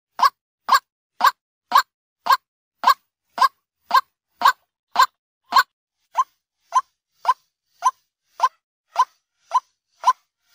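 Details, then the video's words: White-breasted waterhen daytime lure call: a monotonous series of short, croaking 'ruak' notes, about two per second, evenly paced and fading slightly midway; no other sounds. "Suara Ruak ruak pikat Siang hari | waterhen sound"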